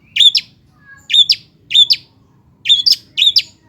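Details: Long-tailed shrike sound used as a lure to make lazy shrikes sing: five loud, harsh, grating double chirps at uneven gaps, with a faint low hum underneath.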